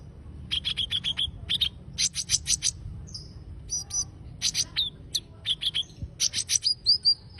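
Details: Energetically singing konin bird: quick series of high, sharp chirping notes grouped in short rattling bursts, mixed with a few thin slurred whistles near the end, over a quiet low background hum.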